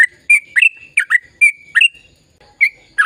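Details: Sooty-headed bulbul giving a gacor ropel song meant to prompt silent birds into singing: short bursts of bright whistled notes, some drawn out and level, with brief pauses between groups.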